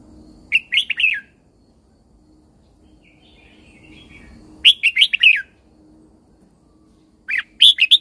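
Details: Red-whiskered bulbul from Thailand, song used to stimulate and train caged birds: three bright warbled phrases of four to five quick rising-falling notes, separated by pauses of several seconds, over quiet low background.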